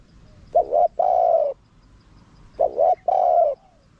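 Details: Small-voiced spotted dove in wild calling style, used as a lure for wild doves; two phrases of a clipped double coo followed by a longer, steady hooting coo.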